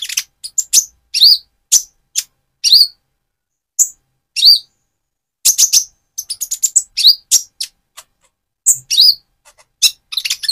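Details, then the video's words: Van Hasselt's sunbird, plumage turning metallic or still speckled, sings to stimulate another bird: spaced very high chirps and short rising-falling slurred notes, sometimes in quick clusters, with brief silent gaps. "Burung Konin trotol gacor untuk pancingan menaikan mental emosi kolibri ninja"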